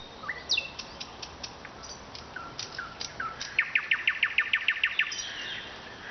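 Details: Nightingale singing in the city of Vologda, Russia: scattered high whistled notes and short slurs, then a fast run of clipped repeated notes, about five per second, sliding into a softer trill at the end.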